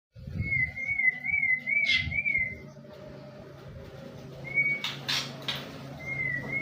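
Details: White-rumped shama from Borneo: a wavering, warbled whistle rises and falls for over two seconds, then short clear whistled phrases return after a pause. A low hum and rumble of background noise run underneath.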